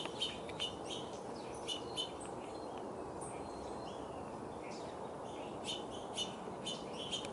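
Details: A hungry orange-crowned warbler in a backyard in 2021 gives sharp, high chip notes at an uneven pace, sometimes two close together, over a steady background hiss.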